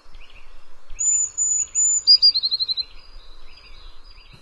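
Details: Eurasian blue tit in a Swedish garden: two or three thin, very high drawn-out notes, then a quick lower trill, with soft chirps from other small birds behind.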